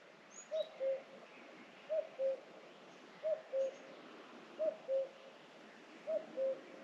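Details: Common cuckoo calling in forest on the foothills of the Vercors, France, in May, while another bird sings nearby: clear two-note falling cu-coo, five times about every one and a third seconds, with faint high chirps from other birds.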